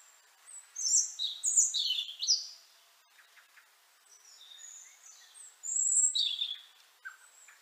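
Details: Winter song of a European robin in Liepāja, Latvia, January 2023: high, liquid, jumbled warbles and thin whistles in two separate phrases, with a faint short note between them and near silence.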